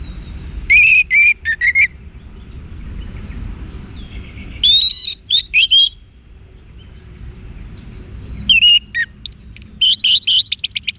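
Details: Orange-headed thrush song from Bali for training caged birds: three groups of clear whistled and twittered phrases, at the start, around 5 seconds and from 8.5 seconds, with quiet low noise between.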